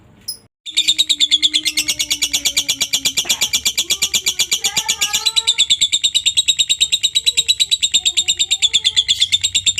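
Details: Lovebird used as masteran tutor song to get other lovebirds singing, ngekek style: after a soft opening note, a long, fast, even chattering trill pulsing about three times a second, high and buzzy, running unbroken for nearly nine seconds.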